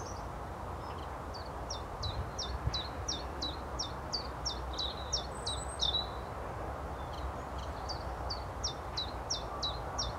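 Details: Common chiffchaff (Phylloscopus collybita) singing a steady run of short, high, dropping notes, about three per second and alternating between two pitches, over a low background rumble.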